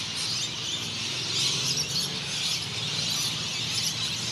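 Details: Rainbow and Scaly-breasted Lorikeets squabbling over perches at the end of the day in Noosa Biosphere Reserve, Queensland, Australia: a dense, unbroken chorus of shrill, screeching chatter, many birds calling over one another, over a low hum.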